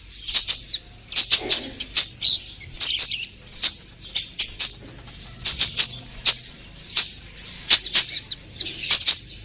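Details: Orange-headed thrush singing steadily to prompt caged birds: short, high, bright phrases repeated every second or so, each made of sharp chips and clear whistles.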